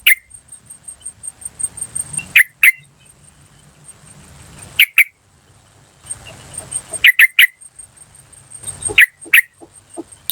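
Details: Yellow-vented bulbul in the wild giving sharp 'cuk' calls in pairs and short triplets spread across the recording, over a continuous thin high tone and low background noise.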